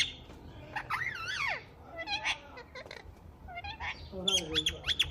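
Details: Green parrot at home, known for talking: arching, wavering voice-like calls with rich overtones, short pauses, then a series of quick high chirps to finish.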